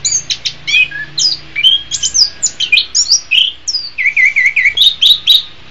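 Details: Orange-headed thrush singing, a recording for training caged birds in the morning or afternoon: bright rhythmic phrases of clear whistles and quick chirps, ending in a run of repeated looping notes, with faint low hum beneath.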